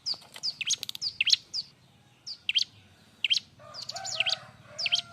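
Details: Bar-winged prinia singing energetically, a noisy, busy song for training other birds: quick high chips and swooping notes in short clusters, with a lower whistled tone from another bird briefly mixed in near the end.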